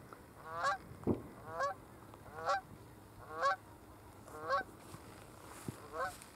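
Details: Canada goose flying at Burwell Fen, Cambridgeshire, UK, 15 April 2015; a steady series of loud nasal honks about once a second, slightly uneven in spacing, with a few soft thumps in the background.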